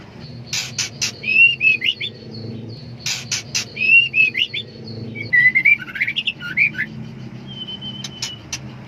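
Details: Female white-rumped shama in heat, seeking a male: clusters of loud clicks alternate with groups of short rising whistles, and a long thin whistle comes near the close.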